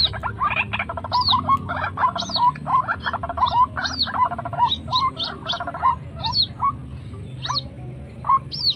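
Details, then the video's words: Waterhen lure call, known locally as srimbok, truwok or ruak-ruak, for luring wild birds: a long, steady run of hoarse, gulping notes with short rising squeaks, repeated rapidly and overlapping like a chorus. "pikat burung srimbok mbok / truwok cara pikat ruak ruak liar"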